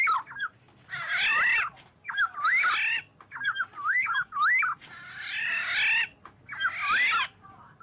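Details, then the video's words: Oriole calling the flock: fluting, wavy whistles around the middle pitch range, interleaved with harsh, broad, rasping squawks, in bursts roughly every second over a faint low background hum. "tiếng vàng oanh gọi bầy"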